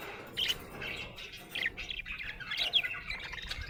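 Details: A happy budgie chirps in bright, high notes grouped into a few short bursts separated by brief pauses, with little background noise.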